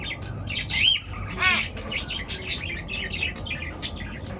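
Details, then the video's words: Birds chirp at dawn with a loud sweeping whistle, then a harsh rasping call and a string of quick, fainter scratchy chirps. "পাখির কিচির মিচির ডাকে সকাল বেলার ঘুম ভাঙা"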